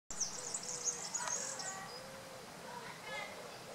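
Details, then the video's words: Song thrush singing: a bright, high, squeaky phrase that lasts nearly two seconds, then fainter mid-pitched notes, over soft lower sliding calls and a steady background hiss. "Grive musicienne"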